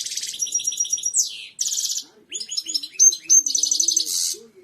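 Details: European goldfinch, royal song for training birds: fast continuous high twittering with buzzy trills, a downward-sliding whistle, brief breaks, and sharp clear whistled notes near the end.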